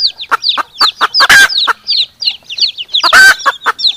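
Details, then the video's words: Hen and chicks calling back and forth: rapid high peeping chicks with descending chirps, mixed with loud broadband hen clucks and sharp short clucking notes, several per second. "Suara ayam betina dan suara anak ayam bersahutan merdu"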